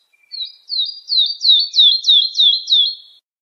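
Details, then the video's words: Lark singing for young birds to learn from: eight clear, falling whistled notes in an even, quickening series, each sliding down sharply, with a faint soft note at the start and a clean background. "تغريد الولوال لتحفيظ الفراخ - chant d'alouette"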